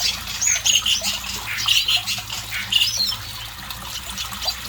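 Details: Red siskin in full, lively song: high whistles mixed with short repeated chattering notes, given in bursts roughly once a second, against constant trickling water.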